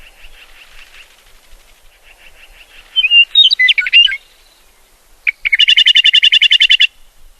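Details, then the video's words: Field recording of a meadowlark, a grassland bird, singing a burst of bright, slurred whistled notes, then a fast, dry chattering rattle of about fifteen quick notes, over a faint background trill. "meadowlark sound effect"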